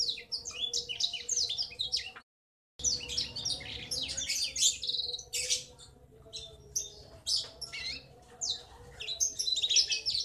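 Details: A young male black-throated canary delivers long rolling ngriwik chatter, the trait that marks it as male; rapid high twitters broken by a half-second silence, then resuming in bursts.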